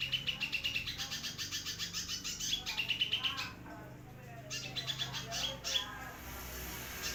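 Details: Sunbird singing vigorously, for tutoring white-rumped shamas and oriental magpie-robins: strings of rapid high chirps with a few short rising twitters, pausing midway before another burst, over a steady low background hum.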